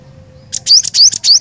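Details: Cinereous tit (glatik batu), a caged gacor songbird, in a lively song burst: short high chirps at first, then loud rising whistled notes with buzzy high elements, repeated about every quarter second; faint low hum underneath.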